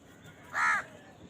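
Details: One short, harsh caw from a crow at its food, clear and loud against a low background hum.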